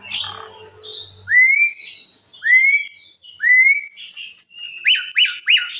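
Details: Asian pied starling singing, said to get other birds calling too; a series of rising whistled notes about one per second, ending in quick repeated squeaky chirps.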